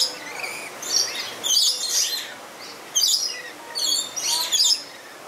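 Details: Captive lorikeets at play in a zoo in Tampa, Florida, recorded on a mirrorless camera, giving harsh, high screeching bursts in about four loud clusters with quieter chatter between.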